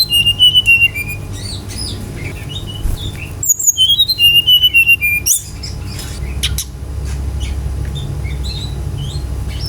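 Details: Brown-chested jungle flycatcher from Bali, sung as a lure for other birds: a rapid chain of short whistled notes dropping in pitch, repeated after a break, followed by scattered chips and a rasp over steady low hum.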